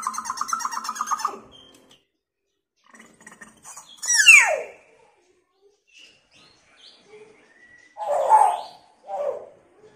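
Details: Hill myna mimicking sirens and a woman's screams, recorded to coax silent mynas into calling: a grating buzzy phrase, scattered soft notes, then a sharp falling shriek and two hoarse, muffled squawks near the end.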